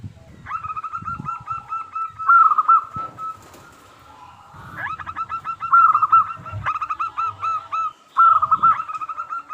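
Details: Local zebra dove singing as bait to make nearby doves answer: loud rolling trills of quick bright coos in phrases lasting about two seconds, separated by quieter pauses with soft background noise.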